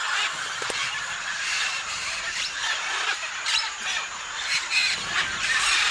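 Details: At the Tambopata clay licks, a gathering of macaws, including scarlet and blue-and-gold, keeps up a steady wall of rough, rasping squawks. Sharper cries stand out now and then above the busy chorus.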